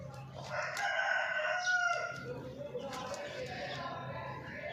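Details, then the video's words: Morning chicken sounds: a long harmonic crow in the first two seconds, followed by softer clucks and faint background noise. "Hen sound effect morning"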